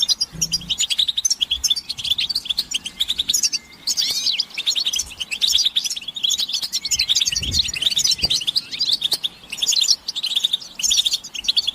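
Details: Chorus of European goldfinches, described as mating and readiness calls that rouse males into song, giving an unbroken stream of fast, liquid twitters and bright chirps, many birds overlapping, with a brief low thump midway.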